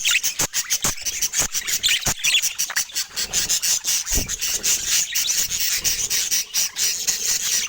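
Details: Pet budgies making sweet sounds: rapid scratchy clicking ticks repeated several times per second, mixed with high squeaky warbles and chirps throughout.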